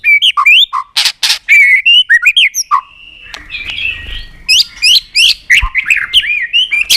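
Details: Tail-flicking White-rumped shama in contest song, used to excite birds to sing; varied loud whistles and harsh bursts, a quieter middle stretch, then rapid chips and warbled phrases.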